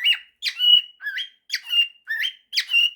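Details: Male cockatiel kept as a pet, singing his 'September' and 'If you're happy and you know it' mashup: raspy chirps, each sliding into a short steady whistle, repeated about every half second.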